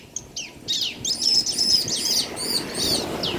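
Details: Bar-winged prinia, male and female answering each other, in a quickening series of high arched chirps that starts faint and becomes loud and steady.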